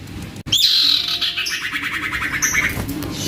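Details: Juvenile common iora singing hard as a lure for silent iora: a sharp descending note into a sustained high buzz, followed by a fast, regularly pulsed trill that gradually weakens.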